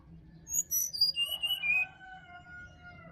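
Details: Sirdadu in wild Bali forest, played in the morning to coax a silent caged bird. High whistled notes descend step by step, ending in long, steady, lower whistles that fade out.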